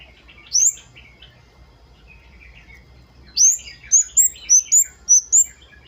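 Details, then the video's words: Flowerpecker in lively wild-style song, used as a lure recording to prompt caged birds to sing: a thin, very high whistled note, then after a pause a quick run of six sharp high 'wucit' notes, each slightly falling, with softer lower chatter between. "KEMADE/CABE CABEAN GACOR NGALAS WUCIT WUCIT"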